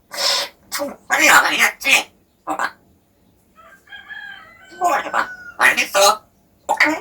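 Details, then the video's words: Pet parrot imitating speech as its pronunciation improves; dense raspy word-like bursts, a quiet stretch of faint whistled tones, then more rapid scratchy syllables. "발음이 점점 좋아지는 앵무샤"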